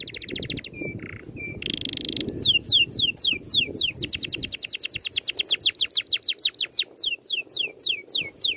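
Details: Rolling bird song from a training recording: trills and flat whistles at first, then a long, accelerating stream of steep descending slurred notes, several per second, loud and rhythmic toward the end.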